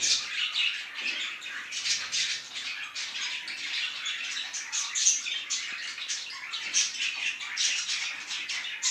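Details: Parrots at the start of the morning, chattering indoors: dense, continuous high chirping and scratchy warbling from several birds at once, overlapping without pause, with a few sharper squawks.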